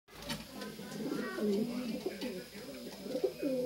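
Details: Several racing pigeons in a loft in Francisco Sá, Minas Gerais, Brazil coo together in low, throaty, overlapping rolls that rise and fall without pause in a small, echoing room.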